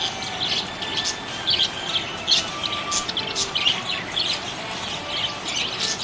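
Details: Happy budgerigar chirping: rapid, warbling high chirps and short twitters come in dense clusters throughout, with faint steady tonal lines running beneath.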